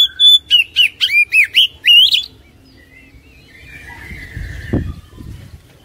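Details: Oriental magpie-robin song, played to prompt a lazy caged bird to sing: a quick series of loud, clear whistled notes sliding up and down, about eight in two seconds, then quieter faint chatter and a low thump.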